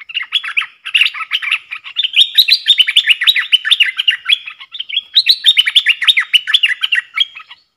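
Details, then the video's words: A bulbul kept in a cage duels with wild birds in song on 3 October 2021, pouring out a loud continuous stream of fast, bubbly, up-and-down slurred notes. "เสียงนกกรงดอกแตงEp.82 ดวลเพลงกับนกป่า!!Birds sounds"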